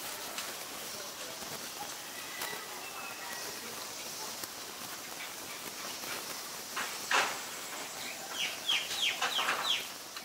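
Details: White-vented myna in Ubon Ratchathani, Thailand, recorded 25 March 2022; after a stretch of steady hiss, a burst of short, sharp chevron-shaped notes comes near the end, with faint scattered clicks and background noise throughout.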